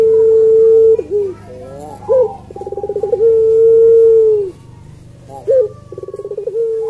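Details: Puter pelung (Barbary dove) cooing melodiously over a low background hum. A long steady note is followed by a slurred note, a pulsed trill and another drawn-out tone, and then a third phrase begins.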